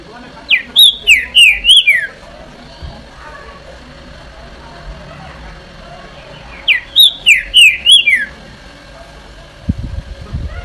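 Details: Green-winged saltator song: a loud phrase of about five ringing, downslurred whistles in rapid series, repeated after a pause of several seconds, over faint background noise and a low thump at the end.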